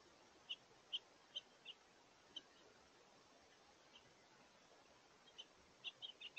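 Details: Feeding House Finches at a backyard feeder, warm windy day, 16 November 2023: sparse sharp chirps, a few early, a pause, then a quick burst of notes at the end.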